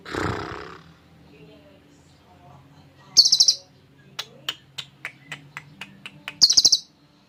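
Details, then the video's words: Champion ngekek lovebird with cililin filling for song training: a low muffled noise opens, then brief bursts of rapid high chatter frame a series of sharp clicks. "Love bird juara ngekek isian cililin cocok buat masteran"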